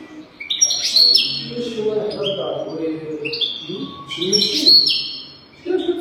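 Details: European goldfinch song from a training recording made to teach young goldfinches to sing: two bright bursts of high twittering and tinkling notes, with a low voice murmuring between them.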